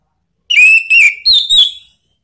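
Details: Orange-headed thrush singing a ngeplong lure phrase used to make a pet thrush answer: four rich whistled notes, the first two level and lower, the last two higher and slightly falling.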